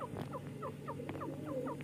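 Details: Francolin chicks at play and fighting, with a short burst of evenly spaced, downward-slurred peeps, about four per second, over a low steady hum.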